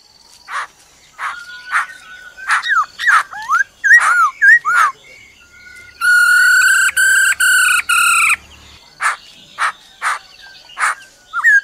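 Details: Black-throated laughingthrush singing its forest-style song: scattered slurred whistles and sharp notes, then a loud buzzy harmonic trill of several pulses from the female, followed by more short whistled phrases.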